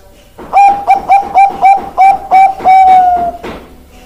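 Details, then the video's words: Zebra dove, Bangkok type perkutut: a run of about eight short, clear cooing notes at steady pitch, each with a slight upturn, ending in one long drawn-out coo that fades, followed by a faint extra note. "Perkutut Bangkok Suara Top Markotop"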